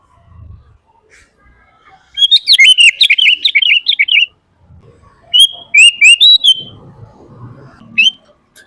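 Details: Sooty-headed bulbul in full vigorous song, played to train and call in other bulbuls: a two-second burst of rapid chattering notes, a pause with faint low rumbling, then a shorter run of clear slurred notes.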